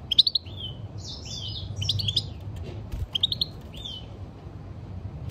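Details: European goldfinch in song, delivering short clusters of sharp high chirps that break into twangy, slurred trills, a brief pause between phrases, low hum beneath.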